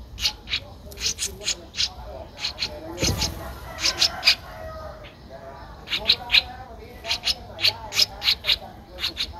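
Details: Streak-eared bulbul nestling, 12 days old, Ubon Ratchathani, Thailand, April 2023; bursts of high scratchy chirps in short clusters with a brief gap and a dull thump near the middle.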